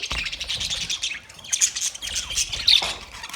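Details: Caged budgerigars in a master cage keep up a busy flock chatter of high squeaky chirps and rasping warbles, with a brief lull midway before sharp whistled notes resume.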